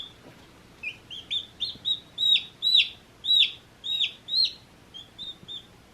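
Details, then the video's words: Baby chicks one day old chirping: faint high notes building into loud, falling, piercing peeps in the middle, then tapering to soft short chirps, irregularly spaced over background hiss. "One Day Old Baby Chicks Chirping Sounds"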